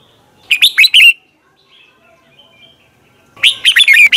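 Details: Red-whiskered bulbul singing in the morning, a recording used to train other bulbuls to sing: two loud bursts of quick, bright, warbled notes separated by nearly three seconds of near silence.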